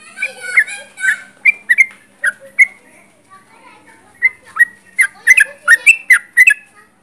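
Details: Sooty-headed bulbul singing actively nearby; mixed harmonic chatter opens the recording, then clear whistled notes come in scattered groups before a fast, dense run of sharp chirps toward the end.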